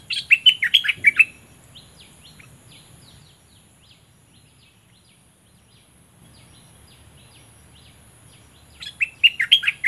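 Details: Caged Olive-winged bulbul used as a decoy to lure rival birds, southern Thailand. A burst of rapid, rich chattering notes opens and closes the recording, with fainter scattered chirps in between and a steady low hum.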